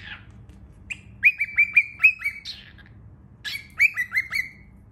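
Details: Baby cockatiel calling with two bursts of short chirps: each note rises quickly, then levels off into a clear whistled tone. Five notes come in quick succession, a pause follows, then four more.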